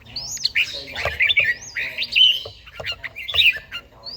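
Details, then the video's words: Morning song of an old red-whiskered bulbul with a forest voice, from Gia Lai, Vietnam, in daily singing training: continuous chattering, rising and falling whistled notes with some sharp squawky accents and clicks. "chàomào HÓT SÁNG, LUYỆN CHIM HÓT HẰNG NGÀY"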